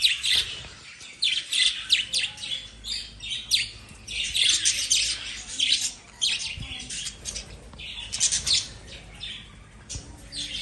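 Lovebirds chatter with sharp, shrill chirps and squeaky notes in quick, overlapping bursts.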